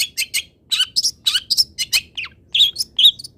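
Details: Long-tailed shrike master song, used to train other birds to sing: a lively string of short chirps, trills and sharp notes, varied and closely spaced, with a downslurred whistle in the middle.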